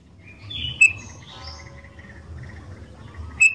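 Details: Sooty-headed bulbul singing actively, used as a lure to prompt other bulbuls to sing: a few short, high whistled notes, sharp clicks and a brief slurred phrase over low background hum.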